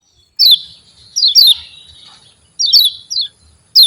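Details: Javan white-eye 'ciak' calls used as a lure to rouse quiet white-eyes into singing: sharp, high, downward-slurred chirps in pairs and short bursts with pauses between, clean background.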